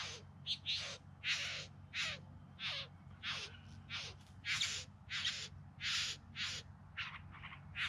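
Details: A bowerbird in the Yarra Valley near Melbourne, September 2020, sings during courtship display. It gives harsh, rasping churrs, some sliding downward, roughly every two-thirds of a second over a low, steady hum.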